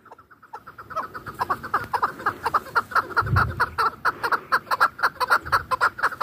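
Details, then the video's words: Hunting chukar partridge from Dashti Jum gives a long series of short, clucking chuk notes, about two per second, steady and building in loudness, with a few low thumps in the background. "Кабки шикори"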